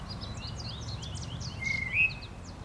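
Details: Tufted titmouse in spring, a wild male with scruffy feathers from frequent fights, gives one clear whistled note that holds level and then slurs upward near the end. Faint chirps from other birds sound in the background.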